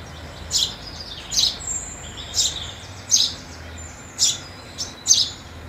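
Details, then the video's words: House sparrows feeding at New Year 2022 give about seven sharp, bright chirps in under six seconds, spaced unevenly, with thin high whistled lines faintly drawn out between them. "House Sparrow Sound in 2022"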